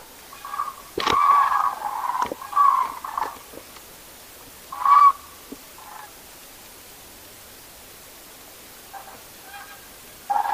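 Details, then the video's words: Common cranes calling at a night roost: a few loud, rolling trumpeting calls in short bursts in the first half, then a long quiet gap, with fainter calls near the end. "Żurawie / Crane (grus grus)"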